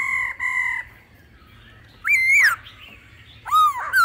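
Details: Laughingthrush, mature wild-forest singing voice plus female calls, played to stir birds to sing: two long level whistled notes, a pause, then loud rising and dipping whistles.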